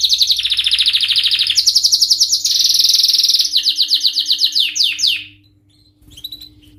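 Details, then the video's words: Male canary singing excitedly: long rolling high trills changing pitch in steps, followed by a string of quick descending chirps that fade, then a few soft notes; faint steady hum in the background. "تغريد روعة سيجعل ذكر الكناري في قمة الهيجان⚡لن يصمت طائرك عن الغناء بعد اليوم🔥Canary singing"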